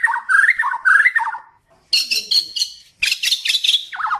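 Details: Borneo white-rumped shama song for training kept birds: a rapid rippling whistled phrase, a brief silence, then bursts of high metallic chattering notes and a final falling whistled trill.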